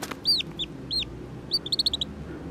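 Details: Lone Black-bellied whistling duck chick, picked up beside a road at about 6:30 pm, calling for help: three high, downward-curving piping whistles spaced apart, then a rapid burst of six short clipped peeps.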